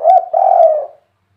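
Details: Spotted dove, known locally as tekukur or derkuku, in the 'kuk 3' song style: one loud, low, hollow coo phrase lasting about a second, a short note followed by a longer, slightly falling one, then silence.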